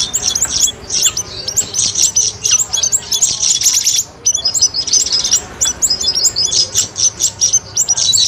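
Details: Streak-eared bulbul song played as a trapping lure: long, busy bursts of shrill chirps and twittering notes from overlapping birds, broken by one short gap midway.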